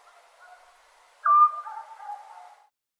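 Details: A single sharp, level whistle from a scops owl at night in Serbia in summer, followed by a fading lower, drawn-out murmur.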